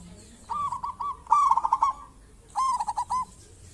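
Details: Zebra dove, a local bird singing strongly and used as a lure for other zebra doves, gives three short cooing phrases, each a quick run of clipped notes, with brief gaps between them.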